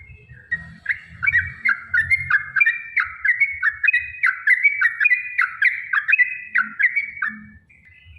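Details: Long, rapid Yellow-vented bulbul song used as a lure to get other bulbuls singing: a chain of chirpy, slurred whistled notes, each dipping then rising, repeated several times a second, with faint low background hum.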